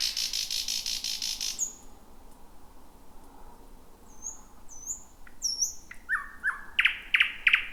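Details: Thrush nightingale singing at night in a dense, bushy thicket, the first of 2026, heard just before midnight: an opening burst of harsh hissing noise, then thin high whistles sliding downward and a few sharp repeated clicks at the end.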